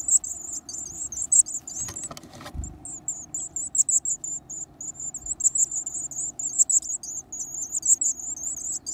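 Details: Nestling varied tits with a strong appetite, eating large insects: rapid high-pitched buzzy calls pulse almost without pause, with a burst of rustling and knocking near the start.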